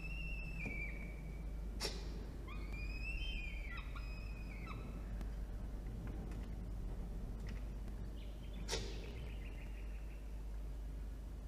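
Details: Peregrine falcon chick being fed by its mother in a nest box on a water tower in Orange, NSW, Australia, October 2021: a sliding wail, then several wavering whistled notes, with sharp knocks and clicks between.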